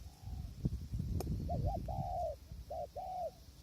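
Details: Spotted dove heard during decoy trapping with a tent snare on a windy day. A soft hooting phrase of short paired coos, then a longer drawn coo, all over low rumbling wind and a sharp click.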